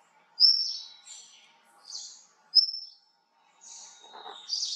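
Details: Indian blue robin (also identified as Tickell's blue flycatcher), likely Sikkim: thin, high whistled notes, each followed by a brief scratchy twitter, about two phrases every four seconds, with a faint lower rustle near the end.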